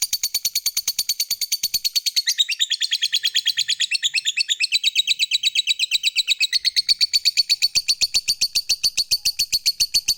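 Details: Lovebird, a fighter-type cage bird, delivering its long ngekek trill meant to prompt other lovebirds to answer: a continuous high, dry rattling chatter of rapid, evenly pulsed notes running unbroken for the full ten seconds.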